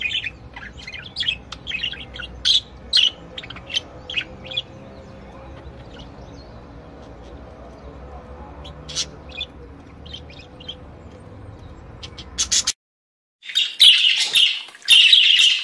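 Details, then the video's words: Budgerigars of various kinds at a breeder: quiet scattered clicks and short chirps for several seconds, a brief silence, then loud rasping, buzzy warbling chatter in the final seconds. "Chant perruches"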